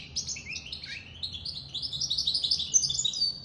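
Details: Goldfinch mule song, a continuous stream of quick bright twitters and short slurred whistles, rising in density and loudness across the phrase.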